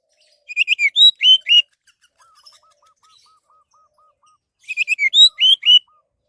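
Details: Orange-headed thrush singing, used as a lure for other birds: two bursts of rapid, bright slurred whistles a few seconds apart, separated by a steady run of about ten soft, lower, evenly spaced notes.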